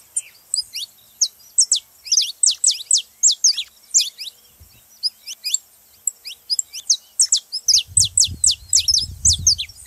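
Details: Saffron finch (canário-da-terra) singing to prompt other canaries: steady streams of bright, falling chip notes throughout, slightly irregular in spacing, with a low rumble appearing near the end.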